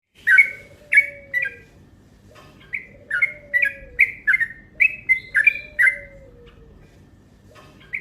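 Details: Yellow-vented bulbul lure call, a long, fast, provoking burst: bright chirpy double notes around two to three kilohertz in quick runs, a pause, then more runs, over a faint low sliding whistle repeated in the background.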